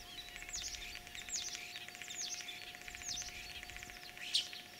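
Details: Common starling in spring, Tver region's Kalyazin district, Russia, 9 April 2023, copying other birds' voices; repeated high downward-swept whistles over a steady rattling buzz, ending in a sharp louder note, with faint background hiss.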